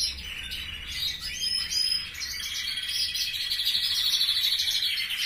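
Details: Aviary canaries at a relative's home produce a sustained, bright trilling song, notes blurring into long rolling runs that grow stronger and steadier in the second half.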